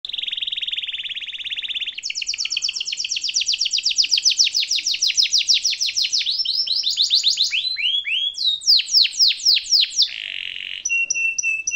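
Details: Canary singing a long rolling song in an ornate style, offered as a master song for young canaries to learn and imitate. A steady low trill gives way to rapid high ticking rolls, then swooping falling notes and short piercing whistles.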